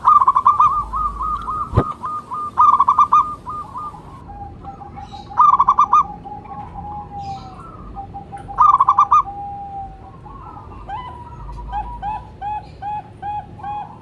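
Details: Local zebra dove, a lure and calling bird, alternates bursts of rapid pulsed coos with long level notes, a sharp click early on, and soft quick notes from another bird near the end.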